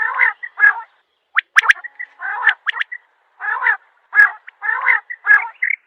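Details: Quail giving loud, harsh, buzzy bursts about every half second to second, broken by quick sharp clicks and brief whistled pips, with nothing else audible.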